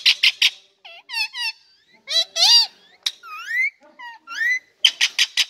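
A rose-ringed parakeet chatters high, nasal word-like phrases with rising and falling inflections, framed by a few sharp, raspy squawks at the start and end.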